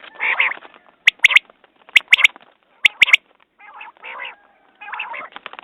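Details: Quail: a hoarse buzzing burst, then three sharp, ringing triple-note phrases spaced about a second apart, followed by lower raspy, nasal buzzes.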